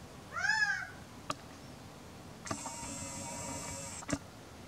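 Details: Warm, sunny April afternoon with a male Gambel's quail: one arched, nasal, harmonic call early on, then sharp clicks and a sustained buzzing mechanical-sounding noise lasting over a second, ending in another click.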